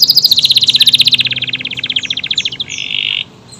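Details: Canary of the AF type pouring out a fast rattling trill of high repeated notes that gradually lowers and softens, ending in a short buzzy tone.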